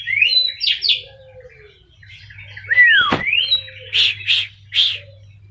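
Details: Oriental magpie-robin, a champion bird from Pati, flying free for exercise: bright rising and falling whistled notes, a sharp downslurred whistle, then three rasping buzzy notes in a row, over a faint low hum.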